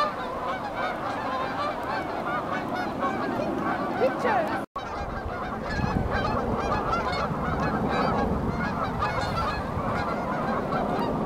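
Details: Riverside geese at Beaver Dam Flats, Calgary, Alberta, taking flight toward warmer climates. Continuous massed honking grows louder after a brief cut, with a low rumble underneath.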